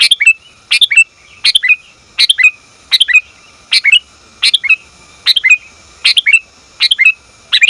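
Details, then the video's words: Calling female sooty-headed bulbul trying to draw a male: rapid, bright chirp groups of two or three notes, repeated evenly about every 0.7 seconds, with a thin steady tone beneath. "Suara Burung Kutilang Betina Memanggil Jantan"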